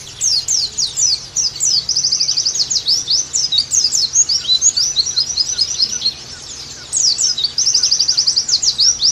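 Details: Oriental white-eye song for pleci therapy and tutoring: fast high twittering that alternates with even buzzy trilled runs, a short lull near the middle, then trilled runs again.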